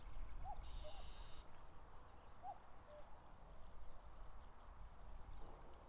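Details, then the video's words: Late-May common cuckoo near Mount Fuji, Japan, busy with territory disputes: two clear cu-coo pairs about two seconds apart, the second note lower, after a short buzzy trill at the start. "カッコウ 鳴き声 縄張り争いに忙しい"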